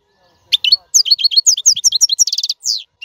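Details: Song of a European goldfinch, played to teach caged young birds how to sing: a quick stream of bright twittering notes ending in a buzzy rattle and a slurred falling note.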